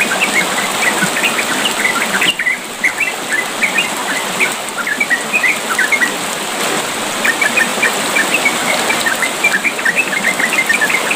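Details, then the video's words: Yellow-vented bulbul (trucukan) gives a quick, bubbling chatter of short bright notes, nearly continuous and rising and falling in bursts, over steady flowing water; used as therapy audio to stimulate young bulbuls to sing. "Terapi pancingan trucukan biar cepat ropel gacor"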